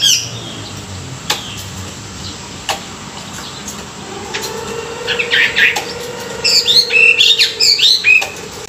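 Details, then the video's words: Chinese hwamei in morning song used for training; after a quiet stretch with faint clicks and a low tone, a burst of varied slurred whistles begins, growing into a loud, rapid twittering sequence near the end. "luyện giọng họa mi họa mi hót buổi sáng, kích bổi quá đỉnh"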